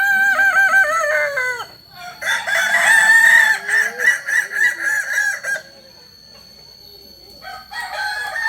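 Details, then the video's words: Solok, West Sumatra native Kokok Balenggek rooster whose crow rises in tiers; an opening falling phrase leads into a fast run of repeated pulsing syllables, then quiet, and a new crow starts at the end. "Ayam kukuak balenggek ayam asli solok sumbar"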